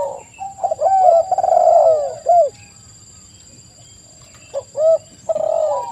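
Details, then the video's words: Spotted dove lure recording meant to draw a quick answer from other doves. Soft overlapping cooing phrases open the clip, then a quiet gap, then rounded falling coos return near the end over a thin constant high tone. "TEKUKUR GACOR suara merdu"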